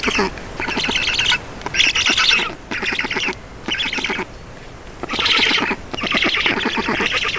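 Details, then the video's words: Black storks at an Estonian nest during a feeding on 4 June 2019 at 18:07: loud, hoarse, buzzy squawking in dense bursts about a second long, separated by short gaps. "Estonian Black Storks - Feeding"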